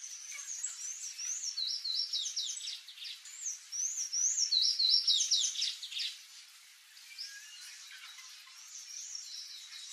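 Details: Sanhaço-do-coqueiro, the palm tanager, gives a hurried run of high, thin, squeaky slurs and twitters for about six seconds, then quieter scattered notes against constant outdoor hiss.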